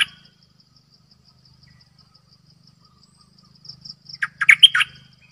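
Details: A bulbul kept as a decoy bird gives one rapid burst of liquid, chirping notes near the end, after quiet, with soft high ticking and a low background hum.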